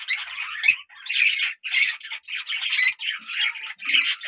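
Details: A pet lovebird, kept indoors, calls: harsh raspy squawks in short bursts, about two per second, with brief silent gaps between them.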